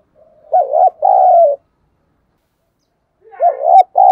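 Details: Spotted dove kept as a decoy and calling to attract wild doves. A full two-part coo, short then drawn out, is followed after a pause by a second coo that is cut off at the end.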